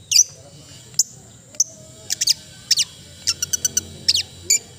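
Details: Cendet, or long-tailed shrike, in melodious song: sparse sharp high clicks and whistles, then paired down-slurred notes and a quick burst of four clipped ticks, with quiet low hum beneath.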